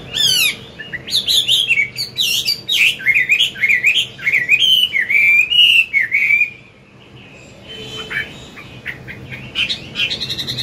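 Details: Chinese hwamei, an old forest-caught bird, singing at dawn in forest style for training a young bird: a long run of warbled whistles sliding up and down over six seconds, then quieter scattered notes.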